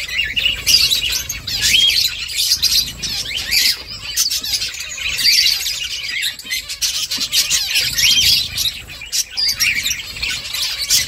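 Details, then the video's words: Finches chirp busily while making a nest, a dense run of high, short twittering notes overlapping throughout, with several birds calling at once. "Finches chirping sounds"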